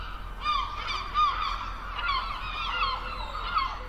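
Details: Gull calling at the beach by the sea: a run of short, arched, nasal calls, several per second and loose in rhythm, with other gulls calling behind and a low steady rumble underneath.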